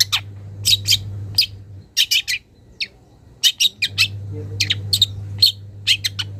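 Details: Young wild long-tailed shrike calling a rival and starting on mimicked material: grating chips and squeaky notes in loose groups of two to four, a quieter gap midway, then more rasping bursts, low hum in the background.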